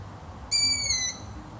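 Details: One high-pitched, overtone-rich squeal from a long-eared owl, lasting just over half a second with a slight downward slide, set against a soft low hum.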